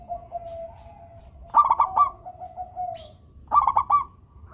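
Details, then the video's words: Local zebra dove singing, played to coax lazy doves into song: a long steady coo near one pitch, then bursts of quick bubbling notes about two seconds apart. "perkutut lokal gacor suara merdu - bikin bunyi perkutut yang malas manggung."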